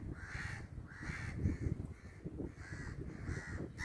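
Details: Crow cawing in a series of harsh, evenly spaced calls, roughly five over four seconds, over a low rumbling background.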